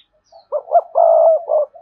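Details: Spotted dove calling rival wild males to come and fight: a single loud coo phrase of short rising notes into a long, steady, vibrating coo, ending with a short note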